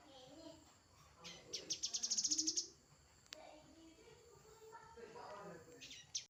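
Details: Grey-headed canary-flycatcher giving a single rapid, very high trill of evenly spaced notes lasting over a second, followed by quieter low warbling sounds and a brief high note at the end.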